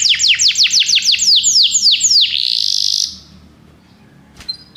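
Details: Belgian canary song meant to encourage other canaries to sing: quick run of descending whistled sweeps about three per second, ending in a sustained buzzy note, then near silence with a brief click.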